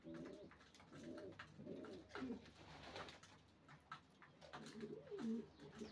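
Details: Racing pigeons cooing in low arched phrases at the start and end, with a quieter middle of rustling and clicks.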